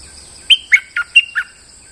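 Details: Lure call of a molting bulbul: five crisp, short whistled notes in quick succession, starting high, then lower and burry, then lifting again, with a thin steady hum in the background.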